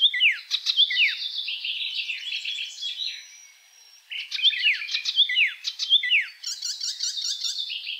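Icterine warbler singing a fast, varied medley of high chattering notes, sharp downslurred whistles and buzzy trills, in two bursts with a brief pause between.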